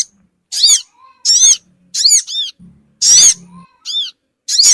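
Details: Sogon lure sound meant to gather small wild birds quickly: repeated shrill squeaky notes, each a stack of falling and arching high tones, some doubled, spaced under a second apart, with a soft low hum between.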